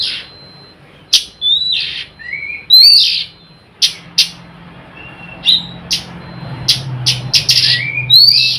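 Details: Oriental magpie-robin giving its nyrecet-style song as a lure to make other magpie-robins, even silent ones, sing: varied whistles, sharp upslurred notes and harsh buzzy bursts in quick uneven phrases, with brief gaps between them.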